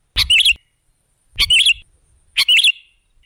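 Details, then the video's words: Sooty-headed bulbul lure call: three quick, bubbly warbled phrases about one second apart, each opening with a soft low thump. "Suara burung KUTILANG jebakan pemikat"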